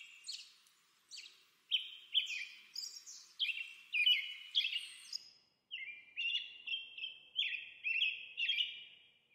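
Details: An American robin sings a steady run of warbled, whistled phrases, many notes sliding downward, delivered quickly with short pauses, in a quiet background.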